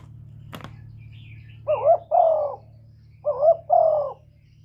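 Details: Spotted dove cooing, a recording used as a lure for trapping and to stir up caged birds: two soft mid-pitched phrases, each a short rising note then a longer wavering coo, over a low steady hum and one sharp click.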